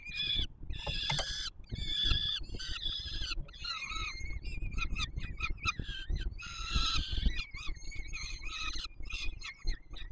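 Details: Peregrine falcon chicks clamour for food as the male feeds them at the Warsaw Palace of Culture and Science nest, 7 July 2022: a long run of harsh screeches and choppy, stuttering squeals, mostly continuous, above a low rumbling background.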